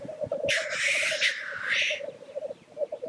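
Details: At a black grouse lek, one long, rasping hiss-sneeze stands out over a steady low bubbling, cooing chorus of displaying birds.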